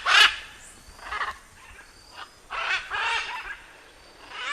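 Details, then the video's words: Macaw uttering loud, hoarse screeches in uneven bursts, some short and some longer and harsher. "CANTO DA ARARA - SOM DE ARARA CANTANDO"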